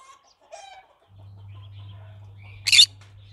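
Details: Green-cheeked conure giving a single harsh, buzzy squawk near the end, preceded by faint softer chattering notes, over a steady low electrical hum.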